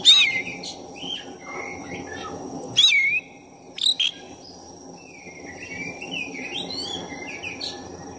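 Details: Oriental magpie-robin of the black-chested form singing non-stop, used to stir another magpie-robin's temper: several sharp slurred whistles early on, then softer rising and falling twitters fading into low background noise.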